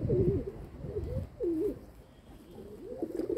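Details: Domestic pigeons kept by their owner, recorded 27 May 2022: low, throaty cooing phrases that dip and rise, about four coos in quick succession with a short pause midway, over a soft low rumble.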